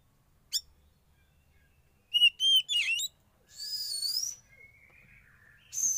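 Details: Kept young Oriental magpie-robin, wild-caught from forest, during sauna therapy: a sharp single chirp, then three bright piercing whistled notes, followed by a buzzy hissing rasp and a thin drawn-out tone, ending in another harsh burst.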